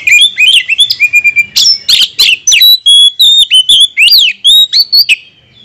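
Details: Continuous song of an Oriental magpie-robin used as provocation bait for other birds: rich, rapid stream of clear whistles, rising and falling slurs and sharp chips, loud and varied throughout.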